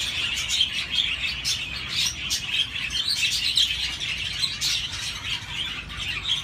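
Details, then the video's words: Continuous chirping of budgies, many small high tweets and scratchy warbles overlapping in an even, busy chorus. "تغريد طيور الحب البادجي"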